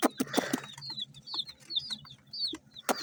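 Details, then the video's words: Feeding domestic chicks: a run of quick, high, downslurred peeps in the middle, framed by sharp clicks and taps of pecking at the start and end. "MURGI HEN CHICKS CHIRPING SOUNDS!!!"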